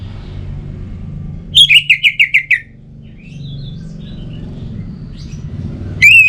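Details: Orange-headed thrush song, used to motivate reluctant singers: a rapid string of about seven whistled notes in a wavering, falling phrase. After a pause come soft faint notes and one more sharp whistle at the end, over a low rumble.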